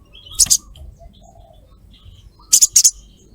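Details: Female sogok ontong calling the male as a lure: two bursts of very high, harsh doubled chirps about two seconds apart, with quiet thin whistles between them.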